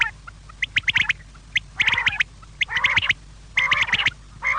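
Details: Quail calling for the evening: scattered sharp clicks open into grouped harsh, nasal squawks, about one burst per second, over a low steady hum.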